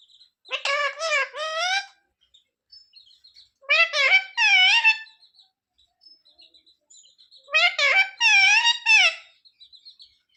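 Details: Parrot talking, asking mummy to give it roti; three similar phrases of rapid, wavering word-like syllables, each lasting over a second, spaced about two seconds apart with soft chirps between.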